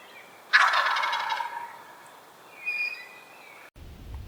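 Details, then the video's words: Turkey calling: a sudden loud rattling gobble lasting about a second, fading out, followed by a fainter higher-pitched note, then an abrupt cut with low rumbling. "Turkey Sound – Hear the Funny & Unique Calls of This Amazing Bird!"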